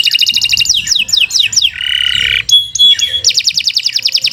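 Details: Continuous canary song meant for tutoring: a fast trill, several swooping falling whistles, a long harsh buzz, thin high piping notes, then a rapid even roll.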